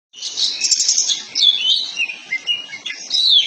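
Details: Oriental magpie-robin of the kacer poci type, lure recording meant to make a bird open its tail and sing loudly: dense, rich warbling of high whistles, trills and quick slurred notes running continuously without pause.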